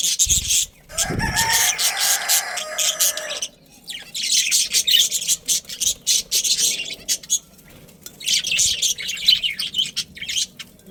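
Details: Budgerigars from a breeding colony with a pair kept together: harsh, buzzy chattering chirps in bursts of a few seconds separated by quieter gaps, with a low thump near the start.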